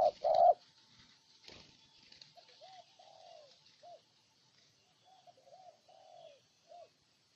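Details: Spotted dove, Ninh Thuận, Vietnam: one loud coo opens, then softer, more distant coos follow, short rising notes and longer falling ones spaced irregularly, with faint background hiss.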